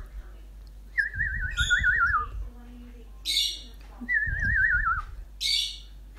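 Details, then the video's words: Freshly hatched tree swallow nestlings give three short, high buzzy bursts, each answering a person's wavering, falling whistle, with low rumbling noise underneath. "Baby Tree Swallows Responding To My Voice"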